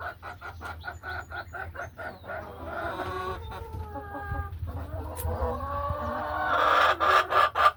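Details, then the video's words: Laying hens settling into nesting boxes in a farm hen house; a fast, even series of clucks opens, followed by long wavering calls and a louder burst of clucking at the end. "A Peaceful Afternoon in the Hen House | Real Farm Sounds"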